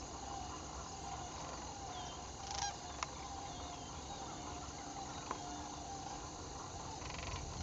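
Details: Two sandhill cranes join a flock during fall migration on 7 October 2011, announcing their arrival with faint, rolling, honking calls. The calls carry steady harmonic bands under constant background hiss, with a few sharp clicks.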